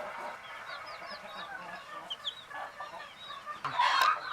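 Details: Several short, high, curved peeps from sleeping hen chicks drift over a soft background, ending in a sudden louder, broad rustling burst.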